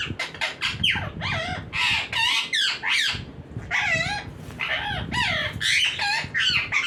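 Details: Green parrot talking nonstop: a dense run of harsh, squawky, rapidly bending vocal phrases with hardly a pause, while a man speaks Hindi softly in the background.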